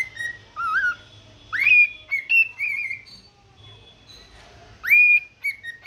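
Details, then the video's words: Pet cockatiel whistling its morning song: clear rising whistles that sweep up and level off, with short wavering phrases and pauses between bursts. "cute bird sing unlimited song for morning refreshments"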